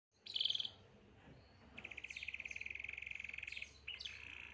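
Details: Canary singing at some distance: a short bright burst of high notes, then a long fast even trill of steady pitch lasting nearly two seconds, closing with a few brief twitters against a low background hum.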